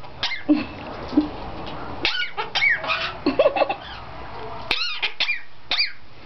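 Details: Pet cherry-headed conure with a cold, coughing: short harsh rasping bursts repeated irregularly, some with brief nasal squeaks, with a person speaking at times in a quiet room.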